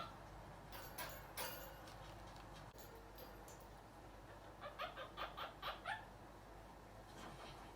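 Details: A pet monk (Quaker) parakeet, a talking bird aged 1 year 6 months, gives a quick run of harsh, chirpy squawks after some scratchy rustling noises.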